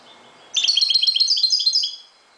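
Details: A Moroccan goldfinch sings at dawn. After a half-second pause comes a rapid, tinkling run of high, liquid notes lasting about one and a half seconds.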